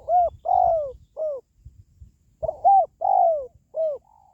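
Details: Spotted dove call, meant to raise the spirit of pet doves at home or to lure wild doves when trapping: two phrases of four mellow coos, a short first note, a level hoot, a long falling coo and a short final one, with a soft low rumble underneath.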